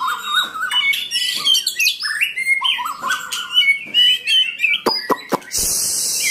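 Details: White-rumped shama delivering fluty whistles and quick warbled phrases for about five seconds, followed by a few sharp clicks and then a burst of hissing noise.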